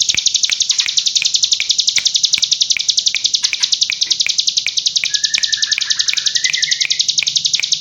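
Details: Hill prinia in gacor form singing the continuous rapid-fire 'ngebren' style nicknamed an AK47 volley: a dense, unbroken high trill of sharp repeated notes, about 3.5 per second, running without pause, with a brief lower whistled slur near the end.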